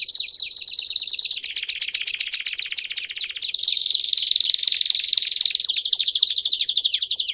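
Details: Belgian canary delivering loud, sustained song made of fast repeated descending chirps in shifting trilled phrases, each phrase rolling on for a second or more without pause.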